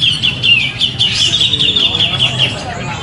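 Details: A grey-cheeked bulbul singing at a bird contest on 27 September 2020 gives a continuous, tight run of bright, chattering chirps at a high, fairly even pitch, with a faint murmur of people underneath.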